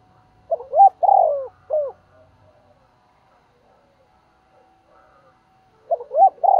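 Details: Decoy spotted dove cooing to provoke other doves: a soft, low, hooting phrase of two quick notes, a long drawn coo and a short closing note, heard once near the start and beginning again at the end, with quiet gaps.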